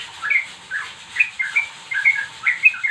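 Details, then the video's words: Young straw-headed bulbul singing short whistled, slurred phrases that rise and fall, given in bursts about every half second, with a faint steady hiss in the background. "trucuk muda"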